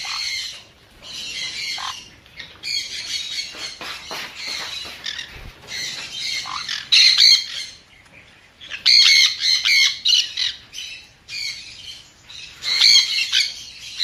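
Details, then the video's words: Sun conure calling in irregular bursts of grating, high screeches, some loud and some quieter, with short pauses between groups over fourteen seconds. "เสียงนกแก้วซันคอร์นัว Conure Sounds"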